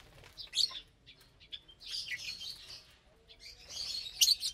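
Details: Caged lovebirds feeding together on a Saturday morning, eating vegetables and seed mix; bursts of shrill, high chirps separated by quieter pauses, with soft rustling between.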